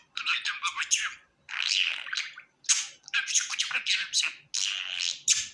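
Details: Happy pet budgerigar chattering in long raspy, buzzy warbled phrases separated by short gaps, harsh and scratchy in tone, recorded indoors with no other sounds.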